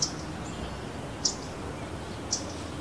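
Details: A Vermilion flycatcher (Pyrocephalus rubinus) in Oaxaca or Yucatán, Mexico, gives three brief, sharp, high chips about a second apart over a steady hiss of background noise.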